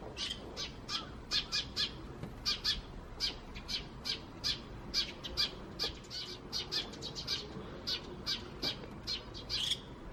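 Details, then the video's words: Wild Eurasian tree sparrows, recorded May 2017, calling with a little starling mixed in: dense, steady run of short sharp chirps, several per second, over soft background hiss. "この鳴き声は何の鳥？の答えは、「スズメ！ と、少しだけムクドリ」です。"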